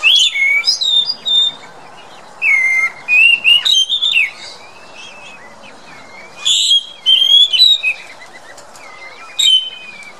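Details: Chestnut-backed thrush (Zoothera dohertyi) giving short bursts of sweet, warbled whistles mixed with thin high notes, roughly every three seconds, over a soft background hiss.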